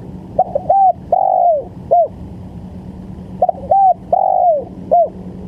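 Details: Spotted dove as a luring decoy: two matching phrases, each of a few brief soft coos, then a longer sliding, downward-curving coo and a short closing note, with a faint constant electrical hum behind.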